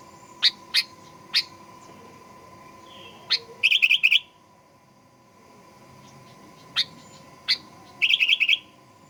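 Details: Sooty-headed bulbul singing to provoke aggressive song: a few sharp, spaced clicking notes, then a quick bubbly, chattering phrase, repeated twice with a pause between, and a steady background hum.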